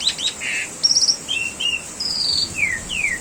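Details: Jalak suren, Asian pied starling, in master training song for caged birds: varied short phrases, a buzzy note, a trill, flat whistles and clear downward-sliding whistles, separated by brief pauses.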